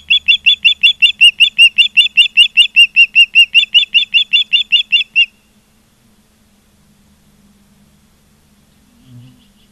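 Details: Osprey at a nest in Charlo, Montana, on 16 September 2023 at 16:05: a fast run of sharp, whistled chirps, about two and a half per second for five seconds, then near silence with a faint low thump at the end.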